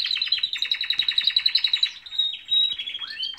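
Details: Canaries singing in the morning: a fast, rapid trill of repeated notes at about twelve per second, then sustained high whistled tones and a brief downward-sweeping phrase near the end, bright and continuous with no other sounds.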